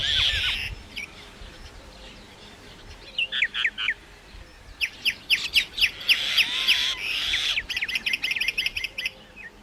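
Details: Myna calling with a varied series of harsh, rasping bursts and short whistled notes, loud clusters repeating rapidly in the second half, with some chattering overlap.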